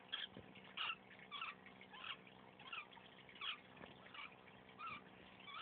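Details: Female lovebird, sick for a few days, making weird sounds: soft, short chirping notes repeated roughly every half second to second in an even rhythm over a low, steady hum.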